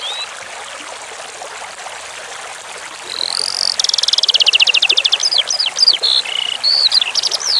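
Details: Eurasian skylark (branjangan) song over running water: several seconds of trickling stream alone, then a fast, buzzy rattling trill of evenly repeated high notes, followed by sharp whistled upslurs and chirps.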